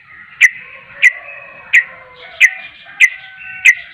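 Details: Yellow-vented bulbul (trucuk) in vigorous, persistent voice: six sharp, bright chip notes about every two-thirds of a second over a faint steady whistling hum and softer warbles.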